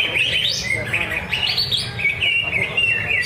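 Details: At a practice singing contest by Danau Bumi Restu lake, Cikunir, a greater green leafbird delivers loud, high whistled trills and sweeping upslurs, closely spaced and energetic, over a low murmuring background.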